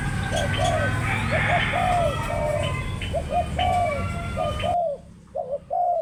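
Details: Spotted dove coos in a steady series of short, low, slightly falling notes against a busy background of distant chirping birds and broad noise that suddenly drops away near the end.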